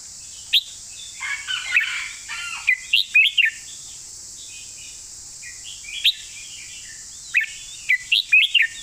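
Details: Red-whiskered bulbul performing a master training song: several separate bright whistled phrases of short slurred notes, some soft warbling between them, and a steady high-pitched hiss underneath.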